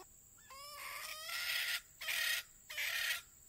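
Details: Male red junglefowl crowing while being lured during a trapping session, the bird in moult; a rising harmonic crow phrase followed by three loud, harsh broadband bursts about half a second apart, over a steady high insect hum.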